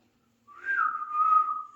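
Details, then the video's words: Male Alexandrine parakeet talking with one clear whistled note that rises briefly, then levels into a steady, slightly wavering tone lasting just over a second. "Alexander Parrot talking | Alexander parrot sound male"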